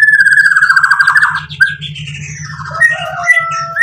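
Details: White-rumped shama song used as a lure to provoke other birds to answer: long slurred whistles gliding downward, then rising whistled notes and a few sharp phrases, over a steady low electrical hum.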